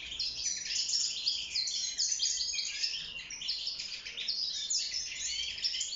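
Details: Caged wild goldfinch (maqnin) in breeding song for mating and nest building, pouring out a fast, jangling stream of chirps, rolling trills and nasal buzzes without pause.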